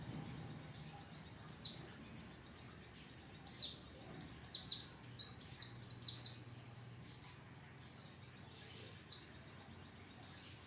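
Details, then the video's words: Oriental white-eye song used as open-beak training audio: bursts of thin, very high chirps sliding downward, clustered in quick twittering groups every second or two, with gaps between and a faint low hum underneath. "masteran pleci buka paruh"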